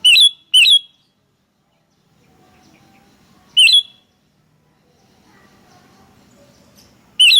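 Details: Sooty-headed bulbul calling lively back and forth: a loud pair of bright, slurred chirps, a single chirp a few seconds later, then another near the end, with a low hum in the gaps.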